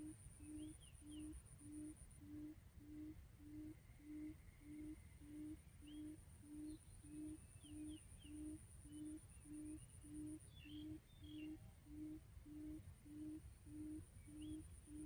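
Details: Quail lure call used for trapping: low, hollow hoots repeated steadily about every 0.6 seconds throughout, with short high chirps of other birds and a thin constant high whine in the background.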